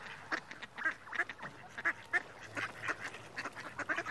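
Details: Mallard giving separate short, hoarse quacks roughly once a second, each clipped and nasal, over a soft continuous chatter of more distant ducks.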